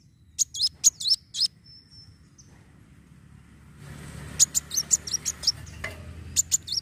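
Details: Van Hasselt's sunbird fighting song, used to stimulate other birds to sing: a few spaced, very high, sharp chirps with a thin whistle, a gap, then more scattered chirps over rising background rustle.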